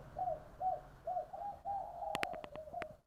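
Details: Spotted dove from Long An, Vietnam, in 'giọng đồng' three-part song: four evenly spaced low coos, then a drawn-out coo overlaid by a quick series of sharp tapping clicks.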